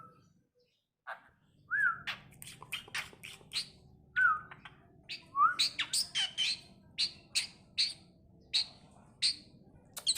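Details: Tame Asian pied starling that can speak, kept indoors, mixing a few clear whistled slurs with a long string of harsh, scratchy chatter notes.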